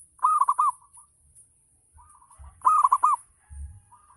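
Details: Zebra dove, local bird, giving ngayer-style song used to stimulate other doves to reply: two loud rolling trilled coo phrases separated by quieter short coos, with faint low knocking sounds.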